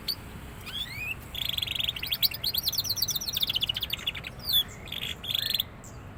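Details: Young canary beginning to sing in earnest, delivering rapid rattling trills of repeated high notes with brief rising whistles between phrases, bursts lasting a second or more, against faint low background noise.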